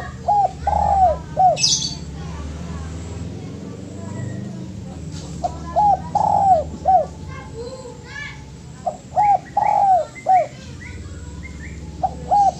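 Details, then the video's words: Spotted dove master song for training: three cooing phrases of hooked notes around a long coo, with faint chirps of other birds, a brief high squeak and a steady low rumble behind. "MASTERAN DERUK"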